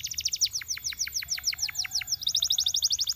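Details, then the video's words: Singing canary, used to prompt others to sing: a rapid chattering trill of repeated high notes, about eight a second, changing to a sharper, faster roll near the end, over a faint low hum. "Canaries seduce friends to sing!"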